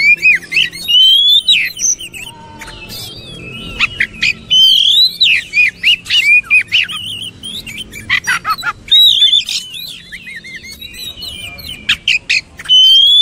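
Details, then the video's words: Oriental magpie-robin singing a rich, varied song for training other birds: repeated clear whistles, rapid trills, harsh buzzy notes and sharp clicks in dense, quick succession. "DENGAR KICAUAN JOSS INI"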